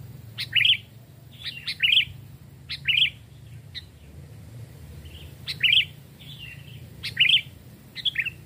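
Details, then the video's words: Sooty-headed bulbul lure birds, two and three years old, calling in forest with a series of cheerful, liquid whistled phrases at irregular intervals, some fainter answering notes between them, low background rumble. "tes mental dan suara saat di hutan 2 jenis Burung Kutilang"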